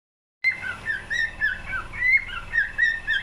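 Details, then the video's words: Cockatiel singing after a moment of silence: a warbling string of clear whistled notes that slide up and down, bright and melodic, in a quiet setting. "Best Cockatiel singing"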